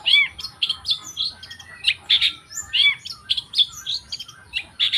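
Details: Long-tailed shrike in a busy, jumbled song of scratchy chirps, slurred whistles and a few low arched notes, delivered almost without pause.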